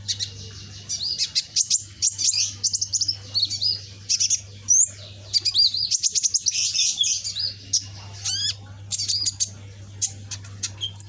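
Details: Young caged scarlet-backed flowerpecker, still learning its song and described as bold and combative. Dense run of very high, thin chirps and ticks, with short twittering bursts and quick rising and falling notes. Steady low hum throughout.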